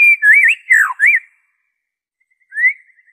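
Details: White-rumped shama song, original without mimicry, used as a lure to prompt caged birds to sing: a few looping whistled phrases wavering around the middle pitch, then a pause and one short rising whistle.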